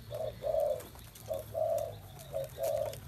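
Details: Spotted dove giving low hollow coos in paired phrases, a short note followed by a longer drawn-out one, three pairs in quick succession over faint background hum.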